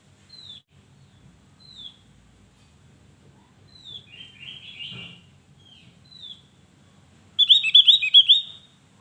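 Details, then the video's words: Javan grey-throated white-eye, a lure bird singing to coax lazy birds into song: short thin high whistles about every second and a half, then a louder burst of fast warbled notes near the end. "Opior Jawa gacor untuk pancingan burung yang Malas Bunyi"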